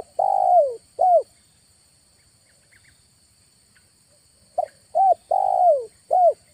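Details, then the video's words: Lure cooing of a spotted dove recorded in August in a village setting: a long sliding coo and a hooked coo, a quiet gap with faint distant chirps, then a full four-note phrase ending in a long downward coo. "PANGGILAN SUARA PIKAT DI BULAN AGUSTUS"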